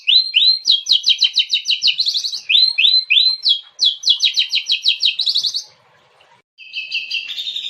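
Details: Kacer, the oriental magpie-robin, delivering a loud, varied training-master and lure song: rapid trilled runs of bright repeated notes broken by upswept whistles, a brief silence, then a sustained warbled phrase.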